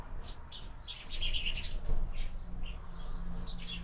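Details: Sparrows at breakfast on a window feeder used for year-round bird feeding; rapid, irregular high chirping from more than one bird above a low background rumble.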